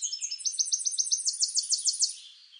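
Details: Tennessee warbler, eastern North America, delivering a brisk song of high staccato notes that run together into a quick, loud trill lasting about two seconds.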